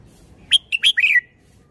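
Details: Red-whiskered bulbul phrase admired for its style: three clear, quickly spaced whistled notes, then a longer wavering note that drops in pitch at the end, all within under a second.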